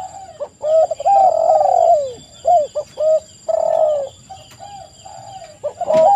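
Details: Lure recording of spotted doves cooing busily to provoke replies, with long wavering coos and short rounded notes from several birds overlapping, and a constant faint high-pitched electronic tone in the background.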